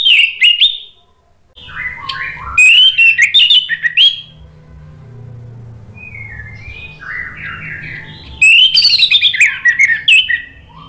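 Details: Orange-headed thrush song played as a lure for a bird that has stopped singing: loud bursts of varied whistled phrases with sliding notes, separated by softer, lower warbles.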